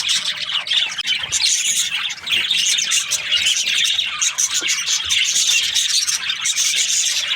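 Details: Budgerigars chirping in the morning: bright, crowded twittering with rapid squeaks and buzzy warbled notes, overlapping voices filling the whole stretch.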